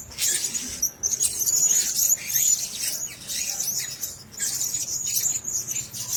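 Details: A group of caged Blue-crowned hanging parrots calls in high, piercing twitters that come in bursts separated by brief gaps, along with light rustling and clicks.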